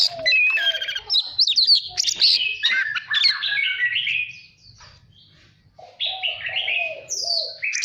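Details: Voice-training song of a caged Oriental magpie-robin, used to push birds into competitive singing. Quick whistled phrases slide downward and end in a brief lull, then a fresh burst of sweet notes with low warbles.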